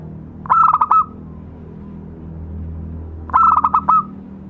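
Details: Two rapid, stammering cooing phrases from a local zebra dove used as a lure sound, about three seconds apart, each a flurry of short notes closing on a brief held coo, over low rumbling background.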